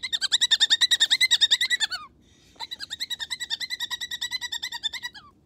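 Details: Gotcha, a pet Moluccan cockatoo, chatters at bedtime in rapid, harsh, nasal pulses, about three per second, in two bursts split by a brief pause.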